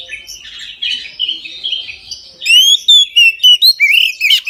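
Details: Full midday 'ngeplong' song of an Oriental magpie-robin, meant to stir other magpie-robins into song: soft twittering and warbling, then a loud sequence of clear rising whistles and sharp notes.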